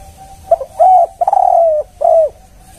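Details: Spotted dove lure sound in the 'kuk 1' style: a quick stuttering double note, then three drawn-out, mellow coos, the middle one longest, falling slightly at the ends, over faint steady background hum.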